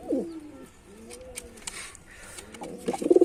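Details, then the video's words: White male pigeon during a performance: a short gruff coo opens, a quiet pause with faint thin noises follows, then a loud throaty coo rises at the end. "Male Pigeon Super Performance || white pigeon"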